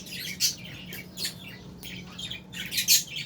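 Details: Albino and Fisher's lovebirds give bursts of bright, shrill chirps in quick clusters, with short pauses between the louder notes.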